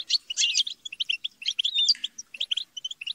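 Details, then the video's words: Squabbling, chattering European goldfinches in a group, played to encourage a goldfinch to sing: harsh buzzy bursts mixed with quick liquid twitters and a thin rising whistle, irregular and busy throughout. "بتبتة وتستسة وشجار الحسون - اقوى بتبتة جماعية لتحفيز الحسون على التغريد"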